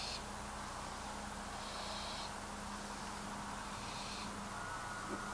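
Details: At night a young wild barn owl on the ground makes three rasping, breathy hiss-screeches about two seconds apart, each roughly half a second long, with a constant low hum and noise beneath.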